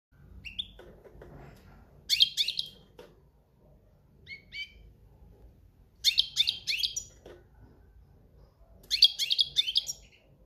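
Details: European goldfinch in breeding season singing the cante campero style: short bursts of high, liquid twittering and buzzy notes, about 1 second each and repeated every three to four seconds, with quiet pauses between.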